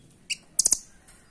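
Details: Velvet-fronted nuthatch, the rambatan doraemon used as a master voice for training birds at home: a single thin, high chip followed by a quick cluster of three sharp, piercing notes.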